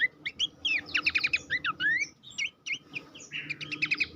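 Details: Song of Horsfield's babbler, recorded as training material for competition songbirds: rapid bright chirps and short repeated whistled notes in quick clusters, with stuttering trills, a brief pause midway, then another fast trilled burst.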